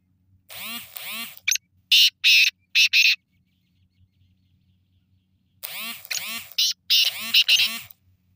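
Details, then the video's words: Black francolin repeating its harsh rasping call twice, each a rhythmic burst of four grating notes, mixed with warbling, swooping harmonic sounds from another source just before each series. "kale teetar ki awaaz"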